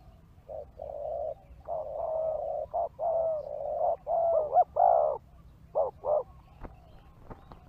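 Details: Spotted dove cooing as a lure for wild birds: a run of low, hollow coo notes of varying length, some long and wavering, followed by short paired notes and a few clicks.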